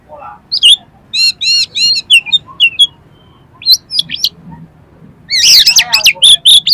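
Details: Oriental magpie-robin in full song, a lure recording for competition birds: a rich mimicking stream with rapid repeated whistled notes, buzzy rattles and sliding high phrases, ending in a loud burst of varied whistles.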